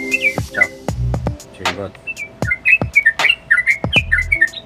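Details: Yellow-vented bulbul in lively song with clicking 'nguklik' notes, said to stir up other birds. Short warbled chirps tumble along, broken by sharp clicks, a brief rattle and low thuds in the background.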